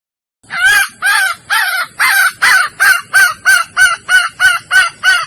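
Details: In-heat Sumatran red junglefowl hen calling to males, recorded for luring: about fourteen loud, harmonic cackling notes, longer and slurred at first, then shorter and quicker toward the end.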